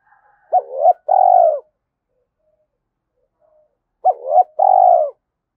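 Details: Spotted dove decoy (cu gáy bổi) in fast calling coo: two paired phrases, each a short rising coo followed at once by a longer, full, slightly trembling falling coo, separated by about three seconds of quiet.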